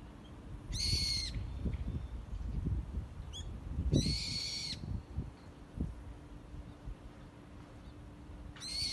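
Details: Bird calling near sakura in bloom: steady, rich-toned flat notes repeated at uneven intervals, with a faint short chirp between them and a constant low rumble plus a soft hum underneath.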